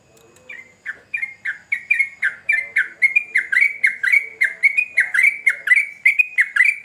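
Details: Sooty-headed bulbul building into lively song: a soft low murmur at first, then loud, quick whistled notes repeated in a steady rhythm, each with a downward-then-upward slur.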